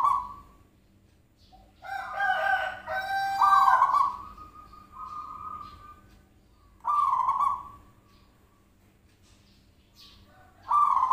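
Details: Zebra dove call for luring a bird to answer: a jumbled run of layered coos and whistled notes, then two loud buzzy coos spaced about four seconds apart.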